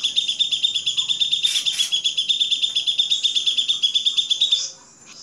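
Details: Grey-cheeked bulbul song recorded for training songbirds: a steady, rapid, high-pitched pulsing trill with two louder harsh bursts early on, fading out at the end.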